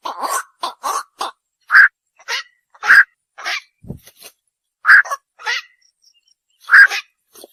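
A night heron gives harsh, hoarse 'quok' croaks, single or in quick pairs, roughly every half second to a second, with brief pauses.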